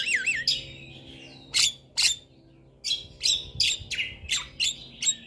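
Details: Javan myna, caged, singing a training song used to stir reluctant birds: wavy whistles open, followed by loud harsh grating notes coming faster and faster toward the end.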